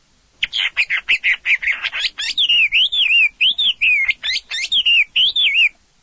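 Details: Orange-headed thrush singing: a fast, clear phrase of sweet whistled notes, first a quick run of short chips, then wavering, warbled slurs rising and falling, loud and continuous for about five seconds.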